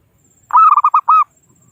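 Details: Rival-summoning call of a local zebra dove kept as a trapping decoy: a single loud phrase of six rapid rolling coos, the last slightly longer, with a faint steady whine in the background.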